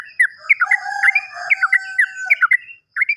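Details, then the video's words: Sooty-headed bulbul lure recording for birds gone silent: lively run of slurred chirps over a steady thin tone, with a low hum in the middle and a short pause before the final notes. "PANCINGAN BURUNG TRUCUKAN MACET BUNYI"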